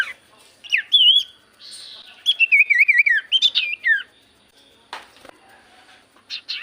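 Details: Javan white-eye singing as a lure for other birds: bright whistled notes, then a fast wavering warble and quick chirps, ending in scattered short, faint calls.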